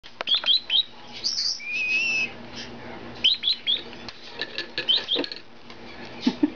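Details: Three hand-raised Meyer's parrot chicks, 50 to 57 days old, impatient for their second daily feeding; short sharp chirps in clusters of two or three, with a longer whistled note near two seconds, quiet indoor background.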